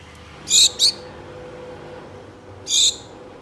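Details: Pet Gouldian finches, a pair kept at home, calling for a mate with brief high-pitched nasal notes, a paired burst followed about two seconds later by one more call, low household hum beneath.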